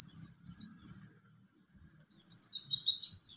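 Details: Ngalas nembak song of a buxtoni mountain white-eye: three separate high, slurred, descending chirps, a brief pause, then a fast unbroken string of sharp high notes.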